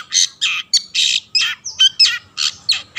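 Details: Harsh rasping notes from a long-tailed shrike in full song, used as a lure to get other shrikes singing; broad scratchy bursts come roughly every third of a second, mixed with a few thin whistles.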